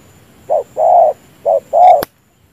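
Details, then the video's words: Spotted dove decoy bird used for trapping, cooing in short-long pairs: a brief low coo then a longer drawn-out one, repeated twice, ending in a sharp click. "BỔI GÙ ĐỘC LẠ GÙ ĐƯA NGỰC XUỐNG TRƯỚC HÀNG ĐỘC _bẫy cu gáy mồi đất cực nhanh"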